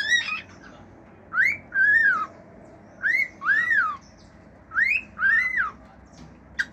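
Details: Male cockatiel at home whistling its natural song: paired, clear, arching whistles, each rising then falling, repeated about every one and a half seconds over steady background hum.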